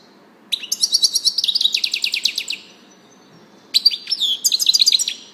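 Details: European goldfinch, known as chardonneret or saka kuşu, singing. There are two bursts of rapid, bright twittering notes with buzzy, ringing elements, separated by a pause of about a second. The background is quiet.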